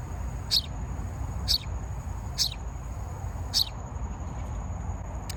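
House sparrow giving four short, bright chirps, roughly one a second, over a steady high-pitched whine and a low background rumble.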